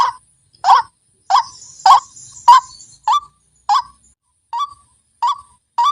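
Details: White-breasted waterhen lure recording: a single loud, croaking note repeated about every 0.6 seconds, ten times, each with a quick upward flick, against near silence.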